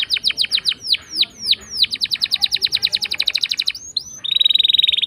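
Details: Long rolling canary song played as a lure for canaries that refuse to sing, built from quick descending whistled notes speeding into a dense trill, ending in a bright sustained rolling phrase.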